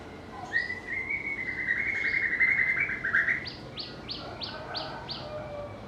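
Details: White-rumped shama, a bird with a melodious, varied voice that mimics other birds, producing a fast buzzy chattering trill for about three seconds, then six clear, evenly repeated sharp notes.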